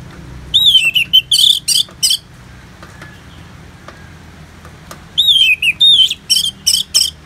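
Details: Orange-headed thrush in ngeplong therapy song mixed with natural rain sounds: two bursts of hurried notes, looping whistles mixed with harsh buzzy chips, about three per second, divided by a quiet hissing gap.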